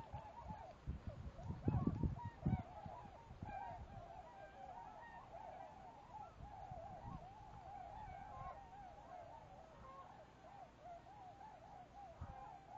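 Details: Arctic Tundra Swans near Jarvis, Ontario, on 19 March 2011, some circling overhead in a figure eight while the rest sit in a field; continuous overlapping wavering whoops and yelping calls from the flock, with low rumbling wind noise early on.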